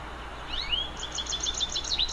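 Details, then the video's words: Hungry goldfinch begging: a thin, high rising note, then a rapid run of sharp, high chirps at about eight per second, over a steady low hum. "hungry goldfinch"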